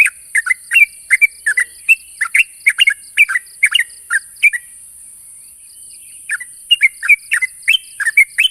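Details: Rival-challenging calls from a sooty-headed bulbul: dense, fast chattering of mellow slurred notes, a short pause near the middle, then the bubbling series resumes; steady thin hiss throughout.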